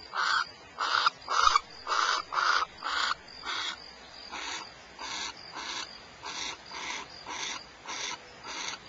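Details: Rasping, noisy screeches from barn owls at Starr Ranch, California, repeated about twice a second, loud at first and then fading to softer, steadier bursts.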